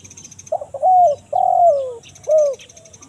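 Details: One 'kuk 1 mersik' phrase from a spotted dove, used as a forest lure for wild birds: a brief gritty opening, a steady coo, a longer coo sliding downward, then a short arched closing coo, over soft high chirping.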